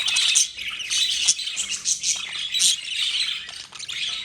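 Two male budgerigars squabble with harsh, scratchy squawks and chatter while contesting dominance.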